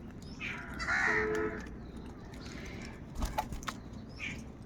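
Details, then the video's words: Crows from a huge flock said to be fighting for food, giving harsh, hoarse caws, one loud drawn-out cry near the middle and fainter calls before and after, over a steady background rumble. "Huge numbers of Crows crowing and crying sounds | Kaka sound and noises of Crow birds"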